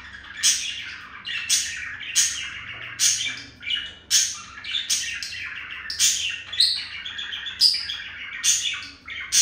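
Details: Courting male budgie chirping at a female while tapping his beak, giving a loud chattering warble broken by sharp, regular bursts about once a second, bright and high-pitched throughout.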